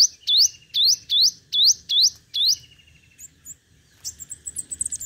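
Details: Five-coloured sunbird decoy singing competitively, used to lure birds with a loudspeaker. Six sharp upswept whistles come about two per second, then a pause, then a fainter jumble of high chattering notes.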